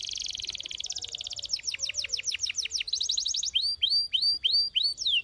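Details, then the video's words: Canary song: a fast, dense trill that shifts into a slower string of sweeping downslurred notes, another quick trill, then spaced, bright, upward-hooked whistles. "Mesmerizing Canary Sound That Awakens a Forest of Birds!"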